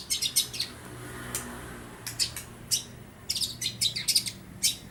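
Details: Sparrow and lovebird imitations from a young long-tailed shrike just moulted out of spotted juvenile plumage: a quick cluster of high sharp chirps, a pause, then more clipped chirps in rapid groups.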